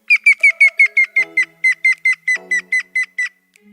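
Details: Grey-headed woodpecker (Picus canus) in Italy, a call heard from late winter: a fast run of about sixteen clear, melodious whistled notes, each slurring downward and growing lower and softer until fading out, over faint low rumbles.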